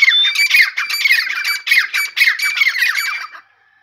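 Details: Strident, rapid run of grating notes from a grey francolin in the morning, pulsing steadily for over three seconds before cutting off abruptly into silence.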